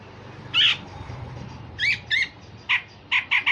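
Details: Grey-cheeked bulbul, used as a tutor for other songbirds, giving sharp, harsh rasping notes: one burst, a pair, then a quick run of short strident calls over a quiet background.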